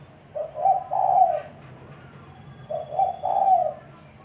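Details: Spotted dove cooing, played as a decoy for bird trapping: two hoarse three-part phrases, each a brief lead note then two drawn-out coos, about two and a half seconds apart, over a low hum.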